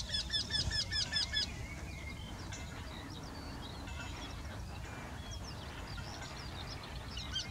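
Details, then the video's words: Eurasian wryneck, one of a pair singing in the same tree, opens with a quick burst of repeated nasal notes lasting about a second and a half. Faint scattered chirps and background hiss follow. "Göktyta sång. Wryneck Song. Wendehals Gesang"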